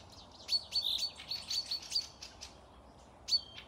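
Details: Forest birds near Panika, Tver region, Russia, on 12 May 2024: a lively burst of high chirps and clicks with short steady whistles, a pause, then a final sharp note trailing into a falling whistle.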